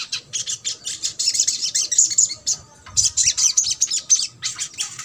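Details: Trotol-style song of a crimson sunbird, used to coax reluctant birds to sing: dense runs of high, rapid twittering notes, broken by a brief pause near the middle before resuming just as busily.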